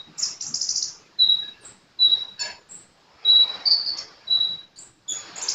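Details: Sunbird singing actively: thin, level high whistles about a second apart, mixed with short sharp squeaks and a brief twittering run, in an otherwise quiet setting.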